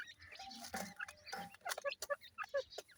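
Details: Several ring-necked pheasant chicks in soil give thin high cheeps and lower, fuller peeps, some notes bending upward, over scattered scratching taps and clicks.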